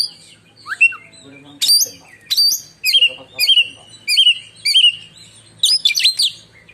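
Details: Oriental magpie-robin, a caged Indonesian contest bird, delivering a long piercing song said to strike like lightning; loud rich whistled phrases with sharp upward sweeps and slurred notes, repeated roughly every second.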